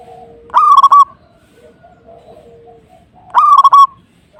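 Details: Two matching phrases about three seconds apart from a zebra dove singing hard at a rival, each a rolling cluster of clipped coos, with a faint low steady tone between.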